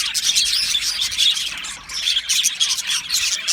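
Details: Happy budgies chirping in an aviary: a continuous flock chatter of high twittering and short squeaky notes from many birds, steady and busy throughout.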